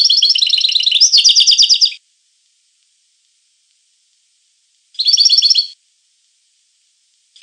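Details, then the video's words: European goldfinch giving quick, repeated twittering trills in two bursts separated by a long silence, with the start of a third phrase at the end. "The Goldfinch , chant de Chardonneret"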